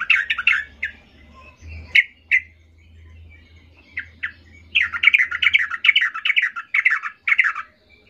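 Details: An agitated Yellow-vented Bulbul seeking a rival, used to provoke opponents: harsh, bubbly chattering phrases in quick bursts, then a rapid run of repeated notes, with a low hum underneath.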